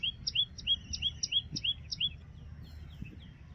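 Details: Loud song of a common tailorbird, a fast run of about eight clear, ringing two-part notes, each a rising slur with a higher sharp tip, repeated roughly three times a second, then trailing off into quieter notes.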